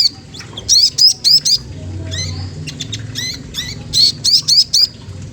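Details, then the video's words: Magpie-robin called sogon trotol, singing to provoke a rival: clusters of four sharp rising whistled notes at the start and end, separated by looser chirps and a quieter gap. "Suara bunyi sogon trotol menggoda lawan ampuh banget untuk rangsangan bunyi"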